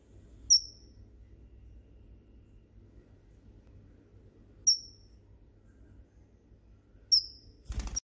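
A Red-rumped parrot gives three brief, sharp, high chirps spaced a few seconds apart over a low background hum, ending with a sudden loud click.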